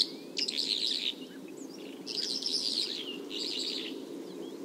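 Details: Bimaculated lark from Turkey: three bursts of rapid, scratchy high twittering with short slurred notes between them, set against a constant low background hum.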